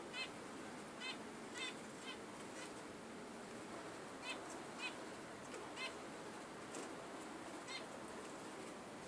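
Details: Budgerigar repeating brief, harmonic chirps about once a second, sometimes doubled, steady and evenly spaced above constant background hiss.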